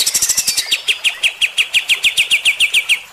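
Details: Kapas tembak bulbul in full, rough 'tembakan' shooting-style song, used to provoke fighter-type birds: a fast, steady volley of sharp, high, dry chirps, about six per second, running without a break for three seconds.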